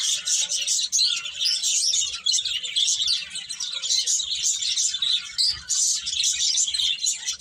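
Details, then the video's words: Lively chorus of many small birds, rapid high chirps and twitters overlapping steadily for several seconds, with short dips in volume. "Cute Birds Chirping Sounds"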